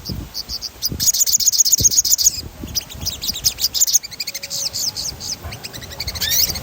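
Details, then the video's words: Crimson sunbird in full rolling song, used as training playback: a fast, even high trill running about a second, then busy sharp chirps and slurred notes, with soft low rumbling in the background. "Suara ransangan bunyi sogon gacor ngerol | sogon bahan putar ini"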